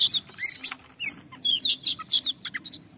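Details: Oriental magpie-robin singing to encourage other birds to sing: a quick series of bright whistled and chirped notes, repeated downslurred phrases and scratchy elements, with a faint low hum underneath.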